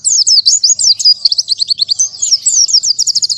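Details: Oriental white-eye (pleci) pouring out a fast unbroken song of high sweet twittering notes, repeated quick upward and downward slurs in rapid series, ending in a run of clipped chips.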